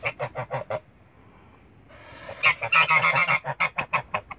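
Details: A pair of Toulouse geese in a backyard giving rapid nasal honks, five evenly spaced, then a brief hiss-like rush and a denser burst of overlapping honks tapering into single calls.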